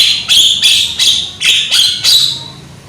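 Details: Young Javan myna with a loud voice, singing as a lure for other mynas: six harsh, buzzy rasping notes repeated about every half second.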